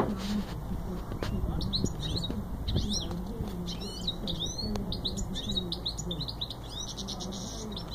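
A goldfinch mule sings a fast, continuous run of bright twittering notes over a low indoor hum.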